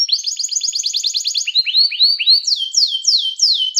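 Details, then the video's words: Canary song used as a teacher for training canaries, calling others to sing: a fast repeated note series, then rising whistled slurs and loud descending sweeping notes. "som de canário chamando amigos para cantar"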